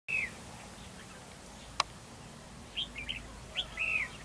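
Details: {'caption': 'Red-whiskered bulbul, a decoy bird in a territorial fight at a trap; short bright whistled phrases, one at the start and a cluster of quick warbled notes near the end, with a sharp click between and steady background hiss.'}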